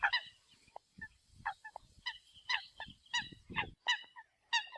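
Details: Decoy recording of Eurasian coot: a series of nasal, trumpeting honks and brief lower toots, roughly two per second, over a low background rumble.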